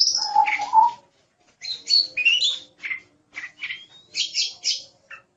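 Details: Oriental magpie-robin song for tutoring songbirds, in lively 'gacor' style: opens with lower warbled notes, then after a pause a series of varied whistled and buzzy phrases, including a rising thin whistle and short repeated notes.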